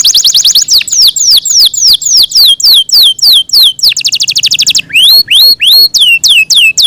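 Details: Yorkshire canary, a kept bird, delivering long melodious song: a quick trill, a run of sweeping downslurred whistles, another rapid trill, then rising and falling slurred notes.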